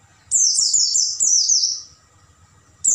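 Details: Oriental white-eye, night training recording for caged birds: two linked high, sweeping phrases, each falling in pitch with a quick wavering, then a pause before another phrase begins.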